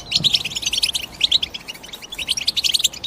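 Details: European goldfinch calling in quick bright chirps and tinkling twitters, bunched in short clusters with a brief lull near two seconds, a faint low thump at the start.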